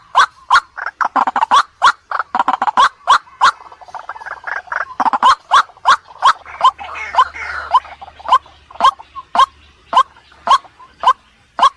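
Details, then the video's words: White-breasted waterhen calling at night, used as a lure: a fast run of sharp, repeated notes, several per second, loud and steady, with a brief rougher stretch in the middle and no other clear sounds. "Suara Pikat Ruak MALAM Ampuh | waterhen sound | night bird sound"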